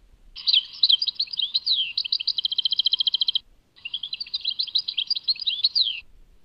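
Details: European goldfinch, Tadmait song: a jumbled twittering phrase ending in a steady, fast trill, a short pause, then a second chattering phrase closing with a descending slur.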